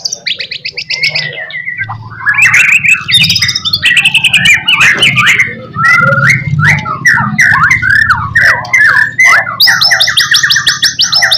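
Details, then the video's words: White-rumped shama song used as a master recording to make other shamas answer: rich, varied phrases of whistles, rapid warbled notes and harsh chatters, with a dense high trill at the start and end, over a low steady hum. "HITUNGAN MENIT SAJA, MURAI BATU APAPUN LANGSUNG NYAUT"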